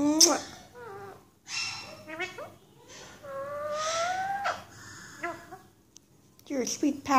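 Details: Pet female Alexandrine parakeet chatting with her owner early in the morning indoors: a run of squeaky, wavering tonal chirps and rising whistled notes, interleaved with a woman's soft speech and a harsh squawk at the end.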